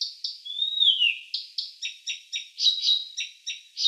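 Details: Blyth's Reed Warbler (Acrocephalus dumetorum) at a Russian forest edge sings a run of short, scratchy high notes repeated several times a second, broken by one long whistled note that slides downward.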